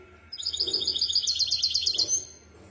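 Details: A misto hybrid canary delivers one rapid, high-pitched rolling trill lasting about two seconds, part of a recording meant for young birds to learn the song.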